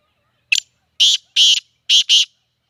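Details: Black francolin (kala teetar) in Sindh, Pakistan, giving a loud, harsh, grating call of five rasping notes: a short first note, then a pair, a pause, and a final pair. The background is otherwise silent.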